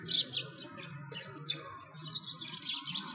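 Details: Sparrows by a frozen lake in Bratislavsky Park, Moscow, Russia, in winter 2022, give short high chirps that thicken into busy twittering toward the end, over a steady low hum.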